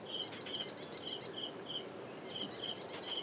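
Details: In the reed beds of Powai Lake, Mumbai, on 1 October 2022, an ashy prinia calls out loud, recorded with a directional microphone. Crisp repeated chip notes run in quick succession, briefly joined by higher twittering, over steady insect hiss.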